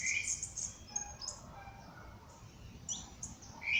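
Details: Birds singing at sunrise in nature: quick high twitters and chips from several birds, with louder bright bursts at the start and end and quieter calls between.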